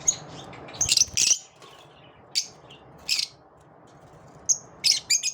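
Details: Shrill chirps from lovebirds after dawn arrive in short clusters with quiet gaps between them, over a faint steady hum.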